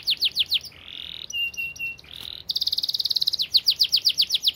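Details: Canary song for training other canaries, fast and dense: runs of sweeping down-slurred notes, a buzzy rising trill, steady flat whistled tones, then a rapid rattling roll and more quick sweeping phrases.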